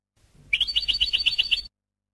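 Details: European goldfinch educational training song: a single quick, regular trill of bright, high, pulsing notes lasting about a second, with a thin steady whistle above it.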